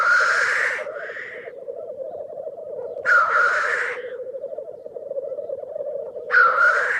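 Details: Black grouse (Lyrurus tetrix), call.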